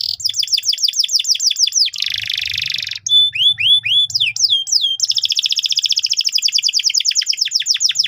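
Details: Canary song used to train young birds: quick sweeping whistled notes, a harsh buzzy burst, looping rising whistles, then a long steady trill of rapid repeated notes to the end.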